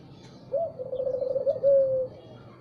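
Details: A single spotted dove phrase in the morning: a quick rising note, a trembling run of throaty coos, then one long, smooth, slightly falling hoot.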